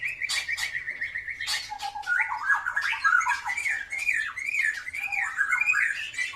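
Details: White-rumped shama, a tail-marked bird used for training other birds to sing, singing a loud varied song: a fast repeated note series, then rich warbled whistles rising and falling with harsh squawky bursts; faint low hum beneath.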